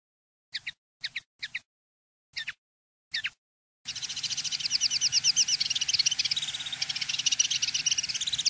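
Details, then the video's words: Common linnet song in field style for tutoring young birds: a few spaced doubled chirps, then a dense, continuous twittering chatter of rapid, varied notes. "NUEVO CD CAMPERO PARA EDUCAR PARDILLOS"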